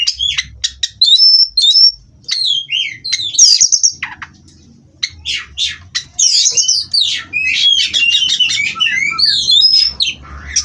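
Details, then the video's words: Captive-bred Oriental magpie-robin giving a long, energetic song of rapid chips, looping whistles and scratchy trills, with a short quiet gap near the middle before a dense burst of varied notes. "Terapi Burung Kacer Agar Stabil di Pedok"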